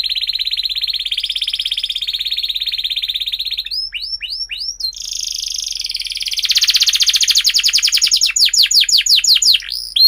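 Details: Canary song intended as a lure for young birds still learning to sing. It opens with a sustained high rolling trill, then quick hooked whistles and a pulsing buzzy roll, closing with rapid repeated sweeping notes.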